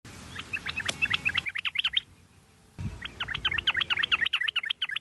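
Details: Sooty-headed bulbul lure recording used to stimulate other bulbuls to sing: bursts of rapid, bright chirping notes, many overlapping, with a short quiet gap midway before the busy chatter resumes.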